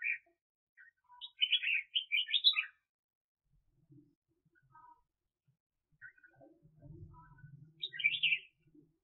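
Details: Red-whiskered bulbul decoy bird used for trapping, singing indoors: short bursts of bright warbled notes, one near the start and another about six seconds later, with faint scattered chirps and low thumps between.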